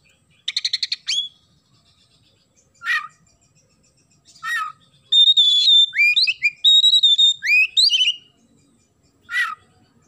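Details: Oriental magpie-robin in lively song filled with house sparrow imitations: a rapid trill, scattered rasping chirps, then a long run of loud, varied whistled slurs and sweeps.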